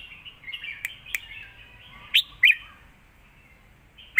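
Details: Red-whiskered bulbul song from a phrase-for-phrase duel in the southern master-pattern style. Soft warbling leads into two loud, twisting whistled phrases, followed by a pause and a final bright note.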